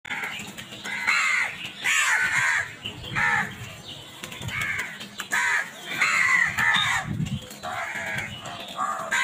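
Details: Crows squabbling and attacking food, giving a run of loud, harsh caws in bursts about every second, several overlapping, with a steady low background rumble.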